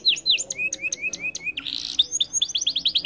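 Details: Canary delivering fast chirping song: downslurred whistles, a run of short rising notes, a brief buzzy burst, then a rapid stuttering series of high chips.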